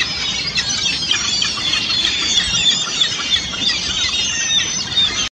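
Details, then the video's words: Flock of ring-billed gulls plunge-diving for minnows on Lake Simcoe at Barrie, Ontario, in December 2015; a dense, continuous chorus of shrill squeals and mewing cries from many birds blends together over steady background noise. "Ring-billed Gulls Plunge-diving"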